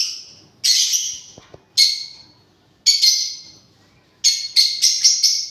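A parrot gives harsh, buzzy screeches, single bursts about once a second, then a quick run of four at the end, with little else heard.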